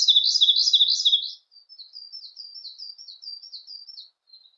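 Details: Siberian blue robin singing: a loud, rapid, rolling trilled phrase lasting just over a second, followed by a string of softer, thin, high, quickly repeated notes.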